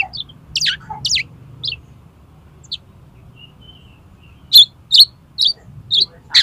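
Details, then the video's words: Konslet-style oriental magpie-robin song used to get a second magpie-robin to open its tail: a few high slurred notes, a quiet gap, then five sharp chirps about half a second apart, with a faint low hum. "CUKUP 3 MENIT BIKIN KACER MAU BUKA EKOR PAKAI SUARA KACER KONSLET INI"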